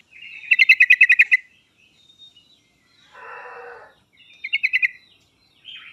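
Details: Sooty-headed bulbul song played as a master recording to provoke a reluctant bird into singing: a fast burst of about eight sharp chirps, a brief rasping noise, then a shorter burst of similar chirps.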